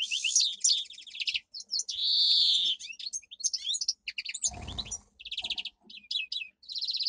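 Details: Pet domestic canary delivering strong training song: loud rattling trills, a sustained rich whistled roll, quick chirped notes, and a short burst of low noise midway before more pulsed trills.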